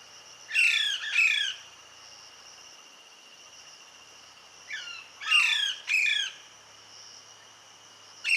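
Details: Parrot mother feeding her chick, with natural sound: harsh harmonic squawks given in close pairs, one pair early and another about four seconds later, over a steady high whining hum in the background.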